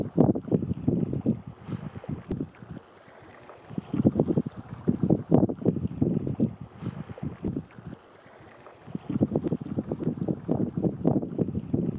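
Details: Low, rumbling wind buffets the microphone in uneven gusts, broken by two short lulls, with no animal voices.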